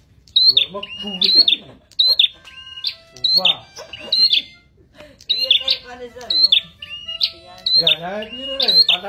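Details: A red-headed prinia, kept three months, sings sharp, high chirping notes in quick bursts, roughly every second, over a man talking in the background.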